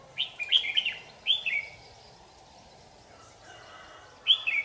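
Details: White-cheeked, yellow-edged red-whiskered bulbul during bird trapping on 8 July 2019, singing quick slurred whistled phrases, three rapid notes then a falling two-part phrase, a silent gap, then another bright burst at the end, with low background noise.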